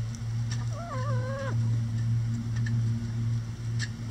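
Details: Chickens in a run pecking at a hanging cabbage ball for coop enrichment; one drawn-out, wavering, nasal call lasting under a second, over a loud steady low mechanical hum.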